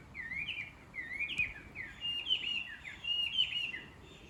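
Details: Chinese hwamei in the countryside, a talkative-sounding bird heard each morning, giving clear whistled phrases that slide up and down, delivered in loose uneven bursts with short pauses between them.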